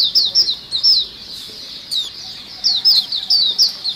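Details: White-eye lure sound used to attract other birds: high, thin, rapid twittering notes in bursts of short descending slurs, with a brief pause in the middle.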